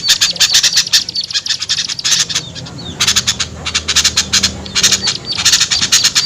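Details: Lure sound for small birds hesitant to descend: bursts of fast high chattering chips separated by short quieter gaps, with a low hum running underneath.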